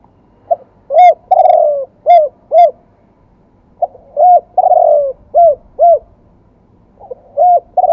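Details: Spotted dove delivering wild-voice song with two 'kuk' endings. A full phrase is heard: pickup note, coo, long descending croon and two short hooked notes. It is repeated, with faint high ticking over the first phrase. A third phrase starts at the close.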